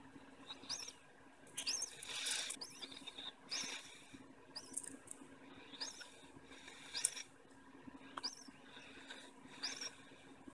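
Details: Four-day-old budgerigar chick calling for its mother while she tends, feeds and broods it; thin, high, rasping chirps repeated about once a second over steady low background hum.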